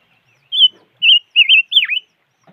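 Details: Silver-eared mesia giving four clear, loud whistled notes over two seconds, each warbling slightly, the final one swooping down steeply and back up; quiet background.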